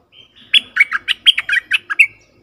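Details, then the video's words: Sound played to lure wild bulbuls: a thin whistled lead-in, then a steady run of about ten loud, bubbly chattering notes at an even quick pace. "Suara pikat merbah lekir"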